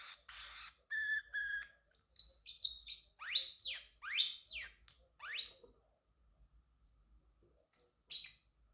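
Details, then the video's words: Singing male Pacific parrotlet kept as a pet: a few steady flat notes, then a string of loud sweeping whistles sliding steeply up and down, a quiet gap, and two final sharp chirps. "Parrotlet Talking ✨️ Cute Funny Sounds"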